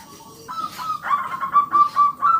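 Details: Strongly singing local zebra dove, meant to prompt other doves to sing: a brief rising note, then a rhythmic series of sharp, evenly spaced higher notes over faint background noise.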